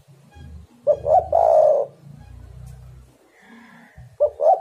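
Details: Spotted dove call for luring birds into calling: a loud phrase of two short notes and a long resonant coo, then a lull with a low droning hum and a faint higher tone, before the next phrase begins.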